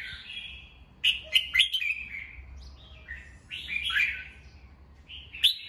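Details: Red-whiskered bulbul in captivity singing in the morning, used for voice training: a drawn whistle, a rapid cluster of clipped liquid notes, then a rolling warble and one last sharp note.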